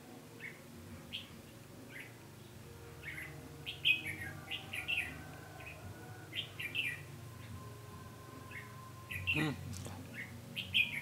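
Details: Decoy red-whiskered bulbul singing during a trapping session on 20 November 2015 to lure wild birds in for a fight; quick series of short, liquid warbled notes with a louder burst near the end, low background hum.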